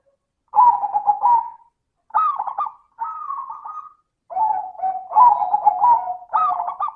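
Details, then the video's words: Zebra dove song in the 'crystal' voice style, used as a lure to get other doves singing: purring, trilled coo phrases in mid pitch, four bursts separated by short pauses, each with a rising then level note. "Pancingan suara burung perkutut - suara kristal"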